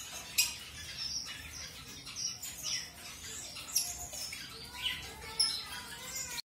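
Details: Mutation-coloured zebra finches being paired with a new mate produce clipped, nasal chirping calls repeated irregularly, with a few sharp louder notes about every second or so over a constant hiss.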